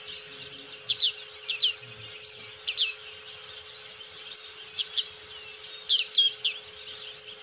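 A black-capped white-eye sings high, thin, rapid twittering phrases in quick bursts, with a faint steady hum beneath.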